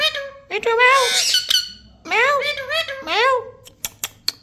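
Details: Pet parrot indoors in a small room giving loud, nasal, harmonic squeaky calls in three rising-and-falling phrases, ending with a few sharp clicks.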